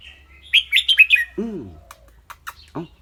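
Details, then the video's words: Caged red-whiskered bulbul giving a clear, bright song: a quick run of five sharp whistled notes, then a low, arching harmonic sound and a few faint high ticks. "นกกรงหัวจุก เจ้าขวัญโชค เสียงใส ๆ ทั้งร้องทั้งริกๆสะใจๆครับ"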